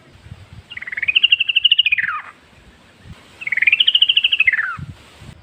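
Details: {'caption': 'Sooty-headed bulbul from the wild, used to prompt other bulbuls to reply: two rising-then-falling rapid trills of pulsed notes over steady low hiss and soft background noise.'}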